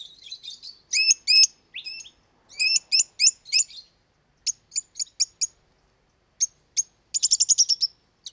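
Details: Loud, shrill lovebird chirping: strained squeaks in bursts, scattered sharp single chirps, then a fast run of about eight clipped chirps near the end.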